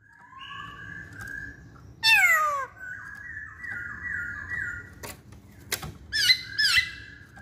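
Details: Masked laughingthrush in full voice mixes soft whistles, a loud, harsh, falling note, a run of dipping whistled notes, and two sharp, bright calls near the end, with a few clicks between them.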